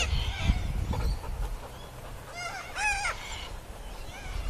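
Sulphur-crested cockatoo giving a few short, nasal, arching squawks in quick succession, over a steady low rumble of wind or handling noise.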